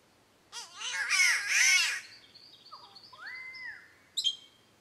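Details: A harsh, wavering, cat-like wail from an Australian spotted catbird, falling and rising over about a second and a half, followed by thin high whistles and chips from other birds.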